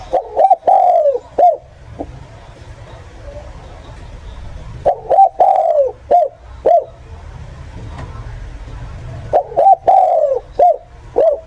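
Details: Lure calls of a spotted dove for bird catchers: three repeated phrases of mellow low coos, double note, long sliding falling coo, then short end notes, roughly every four seconds, with sharp clicks and low background rumble.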